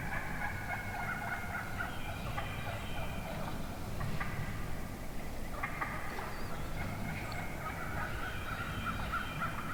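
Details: Morning woods filled with calls of many wild turkey hens in one flock; overlapping yelps repeat continuously, with clear sharp clucks breaking in now and then over low background noise.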